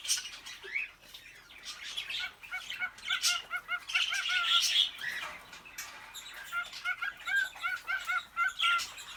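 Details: Indoor aviary with a male cockatiel courting a female: rapid runs of short, clear whistled notes repeated several times a second in bursts, mixed with harsh chatter and squawks from many other birds.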